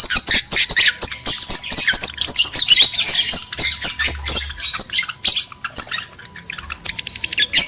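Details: Lovebirds, male and female, in a breeding lure recording meant to stimulate mating: dense, shrill squawking chatter of rapid, high-pitched notes, about two per second, overlapping and uneven in rhythm, with a faint steady hum underneath.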